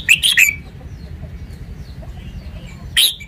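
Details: Red-whiskered bulbul giving a quick bubbly phrase of clear, slurred whistles at the start, then a quiet pause with low hum before another bright burst of notes near the end.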